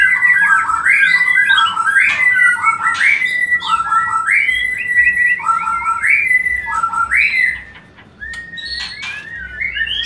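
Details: White-rumped shama song played to stimulate mating: rich whistled phrases with rising slurs, repeated roughly once a second, some higher notes, steady background hum.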